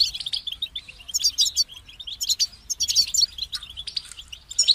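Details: European goldfinch singing quick, liquid twitters and sharp high chirps in repeated bursts, separated by brief gaps.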